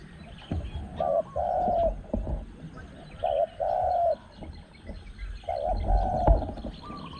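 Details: Spotted Dove cooing during a luring session with a caged decoy bird: paired phrases of a short coo followed by a longer, level coo, repeated about every two seconds, with clattering and low background noise.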